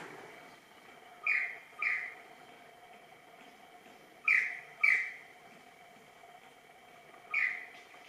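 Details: Superb lyrebird (Menura novaehollandiae) practising its dance display, giving loud, ringing whistled notes in pairs about half a second apart, with pauses of a few seconds. A steady low hum runs underneath.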